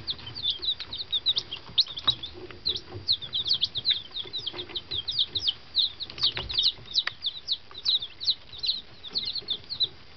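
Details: A brood of one-day-old fancy chicks, arrived by box from half way across the country into their new henhouse, keeps up a dense chorus of shrill, high peeps. The calls come almost continuously, several each second, with faint knocks and rustles below.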